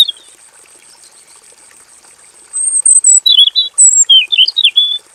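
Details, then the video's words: Male robin singing a long full song inside a simple aviary. Quiet at first, then from about halfway a rapid sequence of loud, high slurred whistles and twittering rising and falling notes. A thin continuous high tone runs throughout. "KICAU BURUNG ROBIN JANTAN GACOR NGEROL PANJANG FULL ISIAN"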